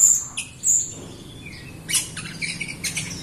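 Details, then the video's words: Jalak Rio myna singing as a model for reluctant Rio birds; a few shrill whistles and a soft sliding note, then scratchy chattering phrases, with a low background hum. "JALAK RIO GACOR untuk pancingan RIO RIO BAHAN OMBYOKAN & MALAS BUNYI"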